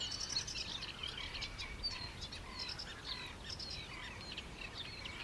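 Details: Black-winged stilts (Himantopus himantopus) at Mutěnice, Czech Republic: many faint, sharp, yapping calls repeated rapidly and overlapping, with steady background hiss.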